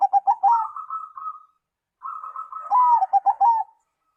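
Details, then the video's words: Zebra dove singing a song other doves answer, in a quiet setting: rolling, rapid cooing notes rising into a long trilled stretch, a pause, then another trill ending in several quick pulsed coos. "perkutut lain langsung nyaut dan gacor bila mendengar suara perkutut ini"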